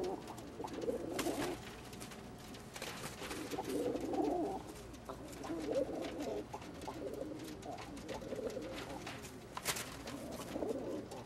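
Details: Male Old German Owl pigeons fighting for females: repeated low, rolling coos in bursts of a second or two, mixed with sharp clatters and scuffing noises.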